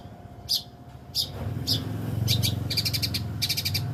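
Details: Long-tailed shrike singing: a few spaced sharp high chips, then quick stuttering trills of rapid repeated notes, over a loud low rumbling background and a faint hum.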